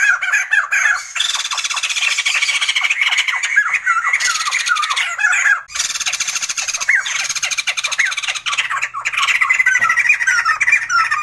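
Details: Sumatran laughingthrush in full laughing song, a dense, continuous babble of harsh squawks, chattering notes and quick slurred whistles, briefly dropping away near the middle before resuming just as loud and hectic.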